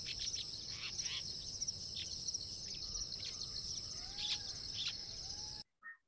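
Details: A long-tailed shrike's quiet, rambling sub-song, a practice rehearsal of its song, of varied chirps, squeaks and short slurred notes, over a steady, high insect drone.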